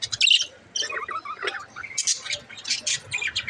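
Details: Pet budgerigar chirping: a rapid run of scratchy, high chirps and short chattering warbles in uneven bursts, with brief quiet gaps between clusters.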